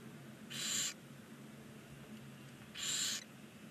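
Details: Nine 19-day-old barn owl chicks in a nest box on a chimney in Ságvár, Hungary give harsh, hissing snores, two broad breathy bursts about two seconds apart, over a low steady hum.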